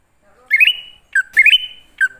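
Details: Lure song of the greater green leafbird, used to call wild birds. Two bright whistled phrases climb in quick steps and hold a drawn-out level note, with a short dropping whistle at the end.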